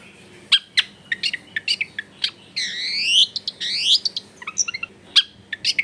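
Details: Long-tailed shrike masteran song to get a silent bird singing quickly, recorded at home: scattered sharp ticks, then two long buzzy rising sweeps, followed by quick clipped chirps and trills.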